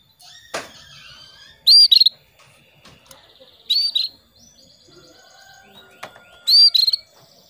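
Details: Female canary calling the male, a lure to get males singing: three short bursts of high, rapid trilled notes spaced about two seconds apart. Background clicks and soft chirps can be heard between bursts.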